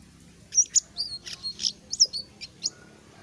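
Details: A Blue-grey Tanager starting to sing freely gives a string of thin, very high squeaky chirps and short twittering notes, irregularly spaced, over a faint low hum.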